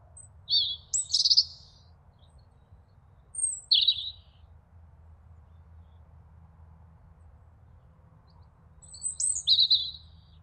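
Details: A European robin sings in autumn in wild hedgerows of the South Downs: three short, high, warbling phrases, each under a second long, separated by long pauses, over a faint low hum.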